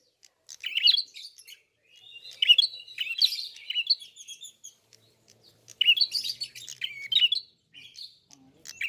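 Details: Red-fronted prinia song with beak open: two long clusters of high, scratchy twittering and chattering trills, separated by a brief silence of about a second.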